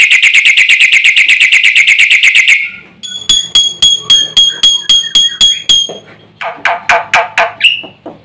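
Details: Black-winged myna singing busily with mixed-in phrases meant to agitate nearby birds: a long rapid buzzy trill, then clear metallic whistled notes repeated steadily, ending in harsher broken chatter.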